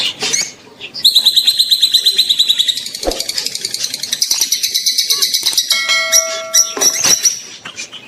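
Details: Mating sounds of rosy-faced and Fischer's lovebirds, meant to push the female toward breeding. A rapid, pulsing high trill runs for several seconds, mixed with squeaky twitters, chatter and a few steady thin whistled tones.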